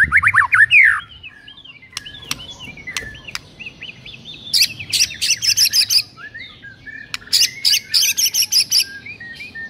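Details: Morning recording of white-rumped shama song for provoking rivals: a burst of fluted whistles, soft scattered notes and clicks, then bright high chattering phrases in two series.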